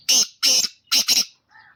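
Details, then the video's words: Black francolin (kala teetar) of the pure Gangas Nasal line, called 'chakri wala': four harsh, grating, noisy notes in quick pairs, then a faint softer tonal note at the end, with no other sounds. "Kala Teetar ki awaz"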